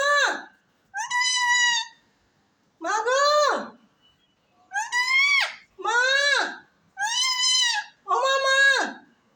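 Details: A parrot talking face to face with its owner produces seven strident, word-like utterances. Most are arched in pitch and fall sharply at the end, delivered at an uneven pace.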